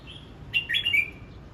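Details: Red-whiskered bulbul practising its song: a short, clear whistled phrase of a few rising and dipping notes with a longer falling tail, faint whistle just before.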